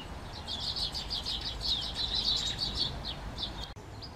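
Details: Great tit (Parus major) giving a dense, irregular run of short, high chirps and twitters that crowd together for about three and a half seconds, then fall to a few scattered notes, over a low, steady background rumble.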